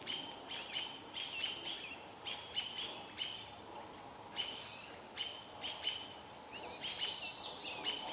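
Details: Robins mobbing an adult barred owl in Vancouver as a young owl looks on; rapid bursts of sharp, high clipped calls repeated through the stretch, several birds overlapping, with a low steady rumble behind.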